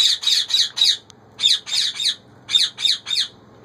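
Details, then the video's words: Female Indian ringneck parakeet saying "roti dedo", asking for bread, indoors: three rapid bursts of harsh, squawky three- to four-syllable phrases, each syllable high and rasping, with short pauses between phrases. "ringneck parakeet female says roti dedo"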